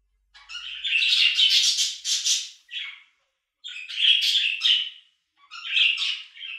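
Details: Budgerigar chattering in three separate bursts of scratchy, warbled notes with brief pauses between them, harsh squawks mixed with quick chirps, no other sounds.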